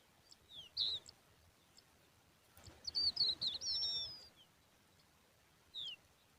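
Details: Young lark chicks, looking thirsty and hungry, beg with thin, high squeaky notes: a lone chirp, then a quick rush of squeaks, then one last call. Faint background hiss.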